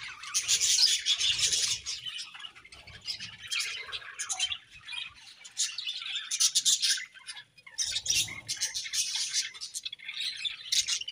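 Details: A happy budgie colony at home keeps up nonstop, scratchy high chatter in waves, with brief drops between bursts and faint low rustling.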